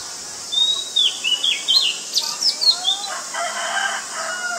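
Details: Oriental magpie-robin, very common resident, Ubon Ratchathani, Thailand, 19 March 2022; quick string of bright whistled and slurred notes, some sharply rising, followed by a softer, lower warbling from another bird.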